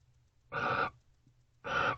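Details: Barn owls facing off at a nest box, Owl Box C, 12:55 am, 12/13/23: two harsh, breathy screeches of similar length, about a second apart, with nothing else audible between them.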